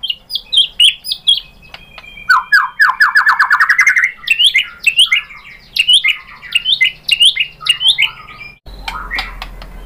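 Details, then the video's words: White-rumped shama song played as a lure for answering shamas, a dense varied medley of rapid chirps, trills and whistled slurs, ending abruptly with a low hum. "MURAI BATU jadi ikutan NYAUT GACOR BONGKAR MATERI ISIAN ¦ PANCINGAN MURAI ¦ SHAMA BIRD"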